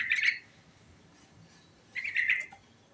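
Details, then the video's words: Sooty-headed bulbul in a rolling ngerol song with a rich fill: one brief chattering burst, a pause of over a second, then a second rough, warbled phrase, with little background noise. "Suara Burung Trucukan Ngerol Isian Mewah Paling Cepat Bikin Nyaut"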